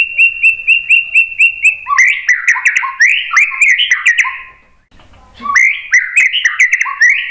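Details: Lure song of a White-rumped shama meant to draw answering birds: a quick run of short whistled notes at about four per second, then louder rich warbled phrases, a brief pause, and more warbling.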